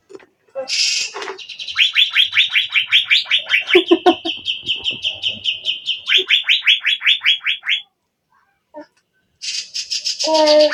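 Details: Asian fairy-bluebird singing energetically: a long run of rapid, rising whistled notes, about two and a half per second, sliding into a sustained high trill. It ends with harsh chattering and a brief pause.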